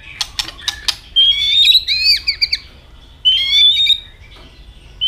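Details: White-rumped shama, a kept songbird, in fighting song: sharp ticks and clicks, then long sweeping whistled phrases near high pitch with warbled overtones, a second rising whistle after a short pause.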